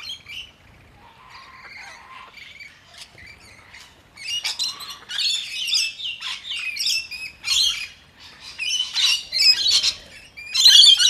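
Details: Rainbow lorikeets scattering in panic from their vulnerable ground feeding spot after a distress signal, filmed in slow motion. Scattered chirps and squeaks build into bursts of harsh, grating high squawks from many birds at once.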